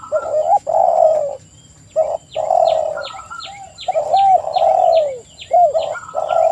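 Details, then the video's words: Spotted doves in full song, several overlapping low coos rolling and sliding downward in long bursts with short gaps, faint thin descending whistles above and a steady high electronic whine behind. "TEKUKUR GACOR suara merdu"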